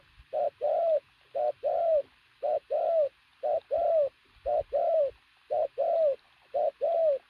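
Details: Regular, loud cooing by a decoy pigeon of athletic build: about seven paired phrases, a short note then a longer arched coo, repeated nearly every second.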